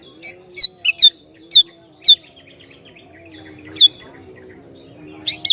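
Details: Sooty-headed bulbul provoking other bulbuls: a quick series of six sharp, high chirps within two seconds, a lone note later, and a short phrase at the end, over a low hum.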